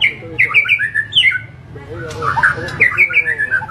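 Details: White-rumped shama singing in the murai batu 'full tembakan' style of coarse, rich variations: rapid bursts of sharp, slurred whistles and chattering notes with short pauses, then a louder rush of descending whistled phrases.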